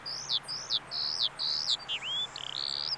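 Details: Eurasian skylark singing at a bulb farm in Saanich, British Columbia: a quick run of high, slurred, down-curving chirps, then a sharp rising note and a longer buzzy trilled phrase.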